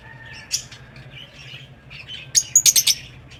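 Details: Soft twittering chatter from pet lovebirds in an aviary builds into a fast string of five loud, piercing chirps near the end, over a low background hum.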